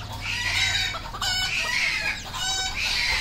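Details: Farmed red junglefowl in Cambodia giving three loud, drawn-out harmonic calls, each about a second long and slightly falling at the end, with a steady low hum beneath.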